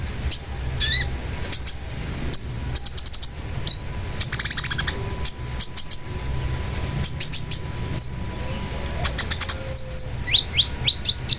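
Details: Long-tailed shrike song: scattered short, sharp high notes and brief trills, some upslurred whistles, delivered in irregular bursts over a low background hum.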